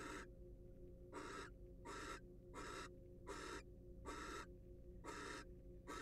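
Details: Wild barn owl in a nest box under scientific monitoring: breathy, noisy hiss bursts about every second, each roughly a third of a second long, over a faint steady background hum.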